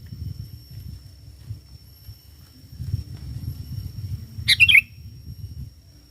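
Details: Sooty-headed bulbul singing actively, played as a lure to call wild bulbuls: one short burst of bright, bubbling notes near the middle. Steady low rumble of background noise throughout.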